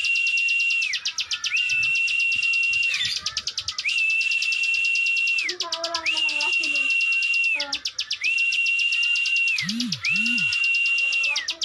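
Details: Ciwah, also called klik klik bird, singing actively: long level whistled notes, each about a second, overlaid with a fast ticking buzz and repeated with short gaps; fainter lower warbled notes from other birds underneath.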